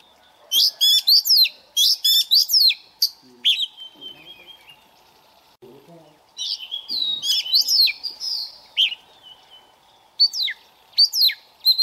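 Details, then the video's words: Caged, newly caught Oriental magpie-robin practicing its morning song: clustered bursts of sharp, ringing chip-and-whistle phrases separated by short quiet gaps, with some softer warbling in the middle. "Choè than bổi lên hót luyện giọng lên lửa mỗi sáng"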